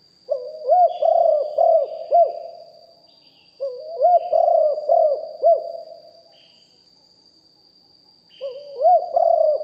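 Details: Spotted dove, a bird kept as a decoy, recorded live and sung in the deep-voiced hanging styles. Three phrases of low, rolling coos with arched, bouncing notes, each about two seconds long, with pauses between them. A faint steady high whine runs throughout.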